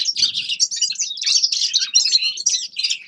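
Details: Bright, chattering song of a grey-crowned goldfinch: fast tinkling notes, buzzy trills and slurred chirps running together, with a soft low rustle at the start.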